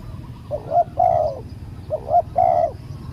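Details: Spotted dove calling as a lure for a wild dove in a live decoy session. Two soft coo phrases, each a brief note followed by a longer drawn-out one, stand over a low rumbling background.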